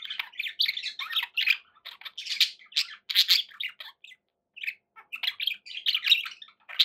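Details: Pet budgerigars kept indoors keep up a rolling, scratchy warble mixed with sharp chirps, pausing briefly midway before the chattering resumes just as busily.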